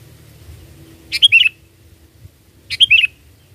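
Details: Sooty-headed bulbul song used to lure birds: a bubbly three-to-four-note whistled phrase given twice, about one and a half seconds apart, over a low hum.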